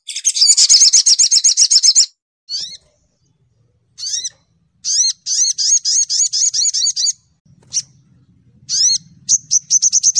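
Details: Sogok ontong, the olive-backed sunbird, in clear chattering song: a dense high trill, then separate rising upslurred notes repeated rapidly, about two or three per second. A faint low hum sits underneath near the end.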